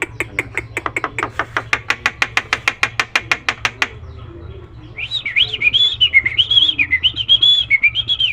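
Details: Tame Nias hill myna in full varied song, meant as master audio for training birds: a fast series of sharp clicking notes, about four seconds, then a looping, wavering whistled warble over a low background hum.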